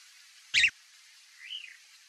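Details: Chalk-browed mockingbird, sabiá-do-campo, calling: one short, loud, harsh burst, then a softer arched whistled note that rises and falls, over a quiet background hiss.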